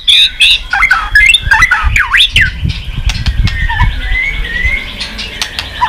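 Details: Excited white-rumped shama singing and tail-flicking after being stimulated: loud looping whistled notes and swoops at the start, then softer warbled phrases over a low background rumble.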